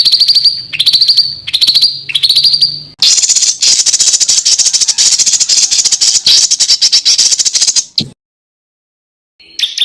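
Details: Small bird giving harsh tutoring phrases from Indonesia: four short buzzy trills, then five seconds of loud, dry, rattling chatter, silence, and a faint final chirp.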